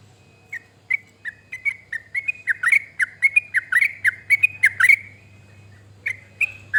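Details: Sooty-headed bulbul song for prompting other birds into singing: after a quiet start, short whistled phrases begin, gather into a fast chattering run of dipping-and-rising notes, pause briefly, then resume over a constant low hum.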